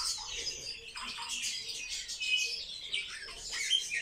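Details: Sparrows kept in captivity, social birds watched endlessly by their keeper, give rapid clustered chirps and twitters, a dense high chatter with a couple of short clear notes near the end.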